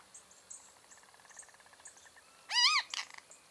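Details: Great kiskadee calling: a loud arched, harmonic-rich note followed quickly by a second burst, after a stretch of soft ticking and faint buzzy background sounds.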